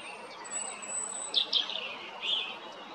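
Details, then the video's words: European robin recorded on 13 April at Jarun in Zagreb, Croatia; thin high warbled phrases with a sustained very high whistle, a couple of sharp bright notes and a later trill over steady background hiss. "Ptice Hrvatske - Crvendać (Erithacus rubecula) (Birds of Croatia - Robin)"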